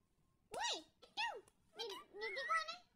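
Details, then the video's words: Pet parrot talking indoors: four squeaky, speech-like syllables, two arching downward and two wavering, with a cat-like, meowing quality. "talking parrot!"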